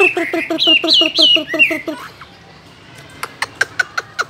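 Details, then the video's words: Caged Chinese hwamei singing: about nine loud, slightly nasal, rising-and-falling notes in two seconds, followed by a run of sharp clicks or taps. "chú họa mi hót như này"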